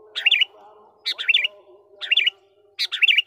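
A Sooty-headed Bulbul gives four short, bubbling, warbled phrases, about one per second, over a faint low hum.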